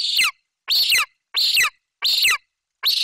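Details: Golden eagle eaglet crying out loudly as the mother delivers a Eurasian magpie to the nest in Bucovina; five harsh, piercing screams with falling endings, about two-thirds of a second apart, no other sounds.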